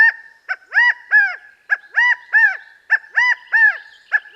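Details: California Quail giving its frequent three-noted call, audible at long distances: loud, arched, nasal notes in rough groups of three, repeating steadily about every half second over a faint background hum.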